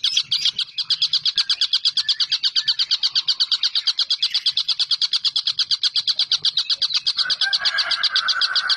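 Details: Vocal collared kingfisher recorded as training material for shamas, green leafbirds and lovebirds, giving a long run of hard, high chattered notes at roughly three per second; a rough lower buzzing enters near the end.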